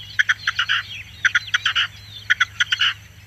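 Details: Red-legged Partridge with a rhythmic chuk-chuk-chukar pattern: three phrases of short staccato notes ending in a longer grating burst, about one phrase per second, steady low hum behind.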